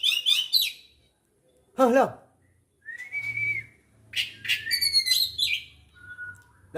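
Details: Aceh Oriental magpie-robin, 24 December 2022: bright whistled phrases and rapid chattering trills, with one harsh descending squawk near the second second and a steady low hum underneath.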